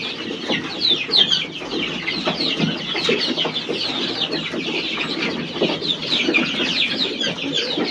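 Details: Chicks with a hen: dense, continuous high-pitched peeping from many chicks throughout, overlapping in a busy chorus, with softer lower clucking sounds underneath.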